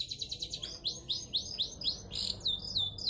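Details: Long-tailed shrike pouring out a rapid run of high, chattering notes, then slower repeated swooping chirps, several per second, in vigorous continuous song.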